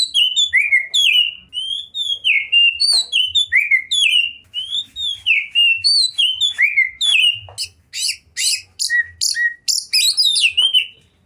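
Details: Oriental magpie-robin, a prize-winning kacer singing 'gacor' with full repertoire: swooping whistled phrases repeated rapidly, shifting near the end into a series of harsh, scratchy high bursts mixed with whistles.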